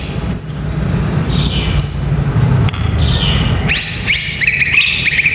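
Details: White-rumped shama song used to train young fighter males: thin high downslurred whistles, then a burst of quick stepped whistled notes, over a constant low hum.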